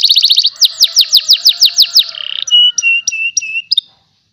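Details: Singing panda canary kept in Pemalang, Central Java, Indonesia, gives a quick rattling trill, then strong repeated falling sweeps, then short flat whistled notes with soft clicks before the song stops into silence.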